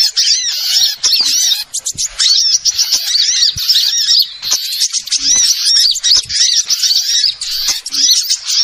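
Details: Small-bird lure sound for catching wild birds: a busy, shrill chorus of rapid chirps and warbling twitters runs steadily, with a few short dips in loudness.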